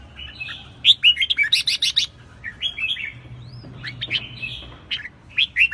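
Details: Red-whiskered bulbul, wild-caught, singing energetically: rapid bursts of sharp chirpy notes mixed with fluty slurred whistles, phrases tumbling together with short pauses.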